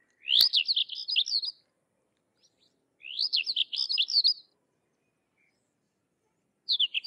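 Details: Sykes's lark singing two rapid phrases of warbled, slurred high notes, each about one and a half seconds long, about three seconds apart, with a third phrase starting at the end; the background is otherwise quiet.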